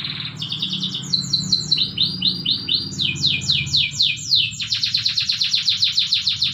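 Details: Canary training song in the morning, fast series of downward-swept whistles changing into a rapid, even rattling trill of repeated notes, with a clear low hum beneath.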